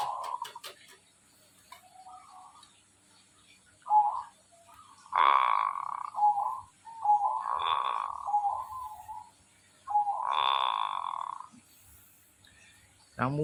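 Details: Zebra dove singing actively, a run of soft short coo notes leading into three loud, rolling cooing bursts spaced about two to three seconds apart, with brief clicks at the start.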